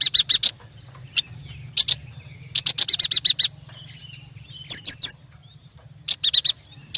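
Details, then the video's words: Yuhina, called prenjak batu, in lively song: bursts of rapid buzzy chirps high in pitch, repeated in short series, with sharp descending whistled notes between, over a faint low hum. "Suara burung yuhina paling istimewah"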